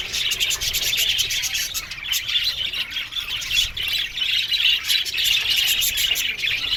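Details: Budgies in an aviary keep up a steady high-pitched chattering, rapid scratchy chirps and warbles overlapping from many birds.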